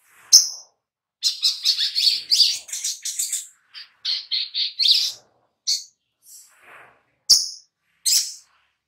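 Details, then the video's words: Oriental magpie-robin lure song for prompting birds to sing: a lively stream of high, varied chirps and twittering notes, then scattered single sharp chips and faint softer calls. "Pancingan SOGOK ONTONG Biar NYAUT GACOR || Pancingan Sogon biar Bunyi"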